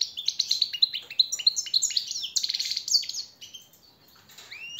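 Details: European goldfinch master song for training captive birds: quick repeated chirps rising in pitch, then a fast twittering trill that fades out, ending with one clear upward-sweeping note.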